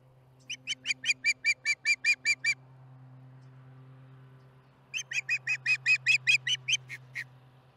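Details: At the Charlo osprey nest on July 15, 2019, late afternoon, an osprey calls through dinner: two bursts of about ten to twelve quick, piercing chirps, separated by a pause, with a low steady hum beneath.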